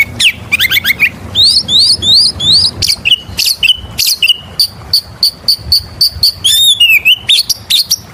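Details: Oriental magpie-robin lure song: a fast chattering start, then repeated paired rising whistles and a long series of identical sharp high notes, ending in a slurred twist.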